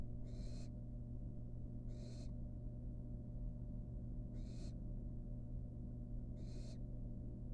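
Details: Wild barn owl fledgling at a nest box, eating a rat with a long tail hanging from its beak. Four harsh, noisy hisses, each about half a second, repeat roughly every two seconds over a steady low electrical hum.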